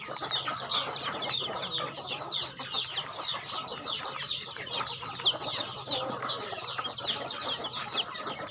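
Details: Farm chickens calling while being fed: a dense, continuous chorus of high, thin peeps, each slurring sharply downward, overlapping from many birds at an irregular, rapid pace, with a faint low hum underneath.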